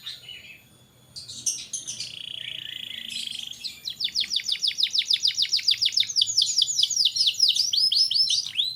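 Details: Caged canary song meant to stimulate young birds to sing: after a quiet start, clipped whistles and a sustained buzzy note lead into a long series of quick, sharply downslurred high notes.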